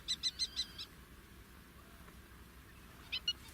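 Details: Fork-tailed drongo in natural habitat in Africa: a quick run of four short, bright, ringing notes in the first second, then silence, then two similar clipped notes near the end over a low background hum.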